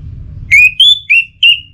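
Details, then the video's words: Orange-headed thrush lure sound used to get birds singing: four clear whistled notes, each a short steady tone, alternating slightly higher and lower, with faint low rumble beneath. "Memacu Burung ANIS MERAH dengan Suara Pacingan Agar Selalu Berkicau Pagi Siang Malam TIdur"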